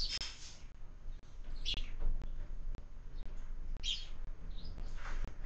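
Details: Sparrows at a feeder fixed to a window during breakfast feeding: a few short, high chirps scattered across the few seconds, separated by pauses, with soft clicks and a low background hum.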